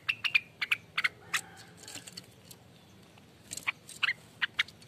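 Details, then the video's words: Rengganis in ropelan song, offered as lure and training material: bursts of quick, sharp, high chirps and clipped whistles, a quiet gap in the middle, then more rapid chirping, over low background noise. "ROPELAN ribut loss burung Rengganis"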